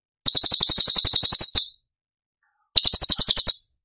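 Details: Cucak cungkok 'tembakan' masteran song for training songbirds: a rapid burst of shrill pulsed chatter lasting over a second, a pause, then a shorter burst of the same harsh rattling notes.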